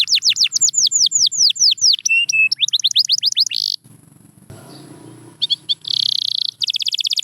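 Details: Training song for quiet canaries: a long run of quick downward-sweeping whistles with some flat notes, a pause with faint background noise, then buzzy bursts and a fast trill.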